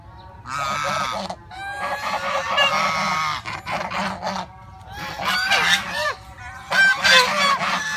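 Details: Domestic geese at Preah Chhor temple in Prey Veng province, Cambodia, giving loud nasal honks in bursts, several birds overlapping, with brief pauses between outbursts and a steady low hum beneath.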